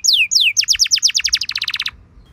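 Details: Canary singing a luxurious lure song meant to trigger other canaries to respond: two long downward-sweeping whistles, then a fast rattling trill of short notes that speeds up before stopping abruptly, followed by quiet.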